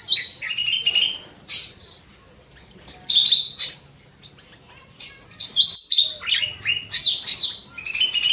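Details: Bulbul singing in an aviary in the evening: lively, high chirped phrases of sharp, slightly rising notes, delivered in two loud bursts separated by a short quiet gap.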